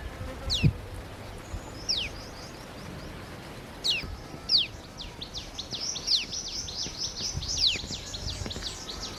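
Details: Birds chirping on a morning in a village in India: sharp, high, quickly falling chirps, scattered at first, then a rapid run of many overlapping chirps from several birds, over steady background noise with a few low thumps.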